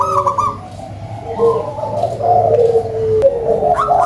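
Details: Big-voiced local zebra dove in active song, giving low, purring coo trills that blend into a steady rolling phrase, then a rising trilled note near the end.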